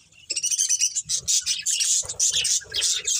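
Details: Breeding pair of colourful budgerigars kept as pets, giving busy high chirps and warbling chatter in quick bursts, with soft low thumps beneath.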